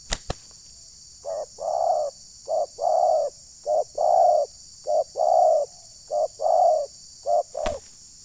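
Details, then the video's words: Decoy spotted dove luring wild doves in Rokan Hulu, Indonesia. After two sharp clicks, evenly paced pairs of coos, a short note then a longer rounded one, repeat about every second and a half; another click near the end. "Pukul Pikat, Burung Liar Terlalu Emosi Dengar Bunyi Pikat ini"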